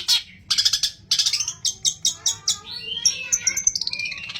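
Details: Long-tailed shrike song packed with mimicked material, including imitations of fighting sparrows, used as a lure to prompt other shrikes to sing: sharp high chirps in rapid bursts, then a run of quick descending notes and thin whistled slurs.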